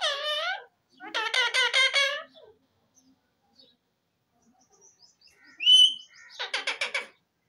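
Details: Parrots utter a falling, nasal syllable, then a rhythmic burst of harsh, buzzy chatter; after a pause a short whistle and another rapid chattering run.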